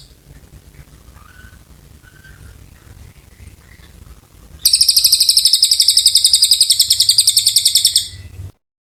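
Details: Oriental white-eye giving extended song as tutor material for magpie-robins: several seconds of faint distant chirps and background noise, then a loud, rapid, high pulsed trill running about four seconds.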